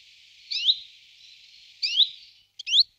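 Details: Common chiffchaff singing: three separate high, sharply upswept notes, spaced about one second apart, over a steady high hiss.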